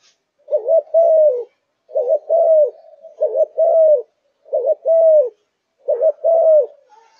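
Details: Captive spotted dove of Malaysian stock cooing eagerly. Five deep two-syllable phrases, a clipped opening note then a sustained downward-bending coo, recur roughly every 1.3 seconds in a quiet setting.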